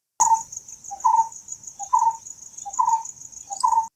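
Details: Brown-headed barbet (Psilopogon zeylanicus), common in Maharashtra forests, call: a low, throaty two-part phrase, a short note then a rolling one, about once a second, over a steady high insect whine.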